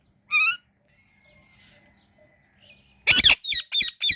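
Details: Indian ringneck parrot: one ringing, harmonic screech, a brief quiet gap, then a rapid run of five harsh, rasping squawks.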